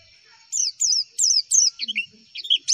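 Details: Javan white-eye masteran song meant to lure replies: clear high down-slurred chips given in a steady run, ending in a few quicker, lower twittered notes.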